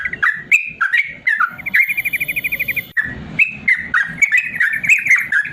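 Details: Yellow-vented bulbul in the long 'ropel panjang' song style used to coax lazy birds into singing. Quick bubbly phrases of chirped notes, broken near the middle by a fast, even rattle of about a dozen buzzy pulses, then the chatter resumes.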